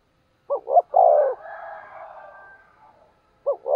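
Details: Spotted dove used as a decoy, cooing 'thúc gù' to stir wild birds into calling; two quick notes and a falling low coo, followed by a faint smeared trailing sound, then stutter notes starting again at the end.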